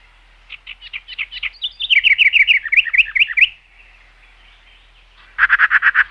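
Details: Birds chirping: a run of about eight short high chirps, then a quicker, louder string of down-slurred notes. After a two-second pause comes a brief dense, buzzy burst of rapid notes. No other sounds.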